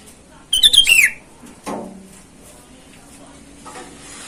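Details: Sooty-headed bulbul, described as a lively singer calling rivals in the wild and used as a lure for wild birds: a single short burst of bright whistled notes sliding downward, then a low dull thump and a quiet background.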